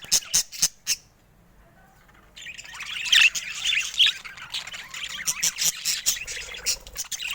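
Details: A few clicking chirps from colourful pet budgies, then a near-silent pause before a flock of budgerigars breaks into continuous high warbling chatter with scratchy squawks and rapid ticks.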